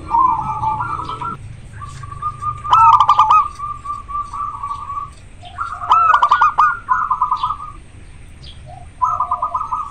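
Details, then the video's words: Zebra dove of local stock, in peak breeding condition and singing eagerly in a very clear natural voice; long rolling, pulsed coo phrases, some wavering, with a few clicking bursts in between. "Perkutut lokal gacor sangat jernih suara lokal alam manggung koar koar over birahi"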